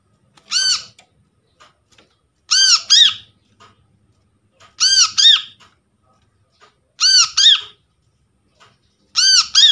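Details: Brown-throated sunbird, a freshly trapped bird, used as a lure to get silent kept birds calling. Five loud bursts about every two seconds, each a pair of arched, ringing notes rich in overtones, with quiet gaps between.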